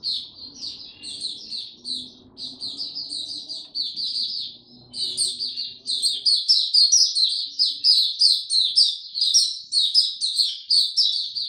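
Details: A white-eye's song in warm, very humid weather, a long run of quick high chirping notes that becomes louder and busier from about six seconds, faint low hum underneath.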